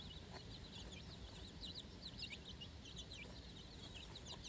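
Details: Young chicks, four days old, out on new grass beside their mother for the first time, peeping loudly and constantly; sharp high notes sliding downward, several birds overlapping, over low rumbling background noise.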